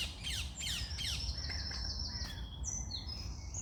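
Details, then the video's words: Birds singing in the morning: several overlapping high chirps and descending whistled notes, with a long thin sustained whistle and low background rumble. "Start your day with birds singing"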